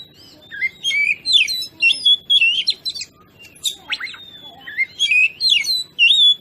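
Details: Oriental magpie-robin singing vigorously as a lure to agitate other birds: continuous warbling phrases of rising and falling whistles mixed with scratchy notes.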